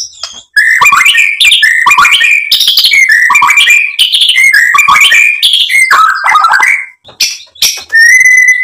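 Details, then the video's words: White-rumped shama song for provoking another bird: a nearly continuous rich stream of whistles, rattles and harsh notes, ending in a long steady pure whistle. "PANCINGAN MURAI BATU biar EMOSI jadi NYAUT BUNYI GACOR BONGKAR ISIAN"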